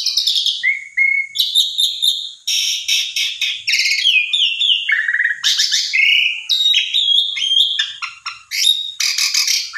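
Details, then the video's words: Asian pied starling singing a loud, varied, continuous medley of shrill whistles, rising slurs and harsh chattering phrases with barely a pause, used to provoke a silent starling into singing. "Jalak Suren Macet !! Coba Pancing Dengan Jalak Suren Ini !! Respon Ngotot Gacor Isian Komplit"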